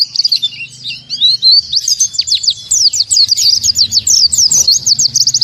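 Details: High twittering opening, then a non-stop volley of sharp downslurred chirps from an oriental white-eye in the 'tembakan tanpa nafas' song style, with a low hum underneath.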